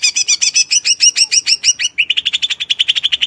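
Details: Fast song of a greater green leafbird: buzzy, rich chattering notes repeated several times per second, then switching to an even quicker, even-pitched trill.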